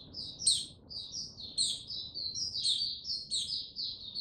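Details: White-eye male on 6 March 2022, building toward full song: rapid high twittering phrases with loud, piercing upward squeaks roughly every second and soft hum beneath.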